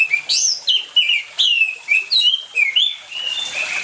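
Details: Orange-headed thrush singing, played to prompt silent birds to sing: varied sweet whistled phrases, sliding up and down, in quick bursts about every half second, with a faint hiss of water behind.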